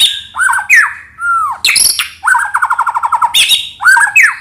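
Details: Lure song of a white-rumped shama: swooping whistled notes, a harsh scratchy note, a rapid even trill of repeated notes, then more falling whistles.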